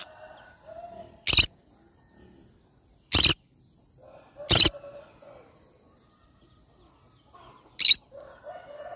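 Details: A cinnamon green-cheeked conure repeats four sharp, harsh screeches roughly every two seconds, while soft low warbling sounds fill the gaps against a steady background hum.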